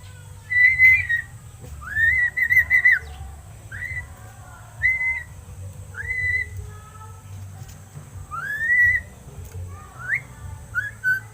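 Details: Hand-reared crested myna, seven months old, producing repeated warbling whistled phrases, some fluttering and some swooping upward, separated by short pauses, over a faint low hum.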